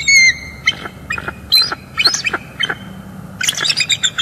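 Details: Bald eagles, a breeding pair on a northeast Florida nest during incubation, December 2021, calling on a morning with mating; loud, rapid series of high, sharp, chittering piping notes, roughly a dozen staccato squeals in quick succession.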